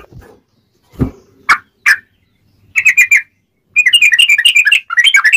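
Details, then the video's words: Sooty-headed bulbul, ngobra song used to train birds and attract wild ones for capture: a few scattered thumps and single notes, then rapid bursts of sharp, chattering whistles. "Kicau Trucuk Ngobra Spesial Masteran"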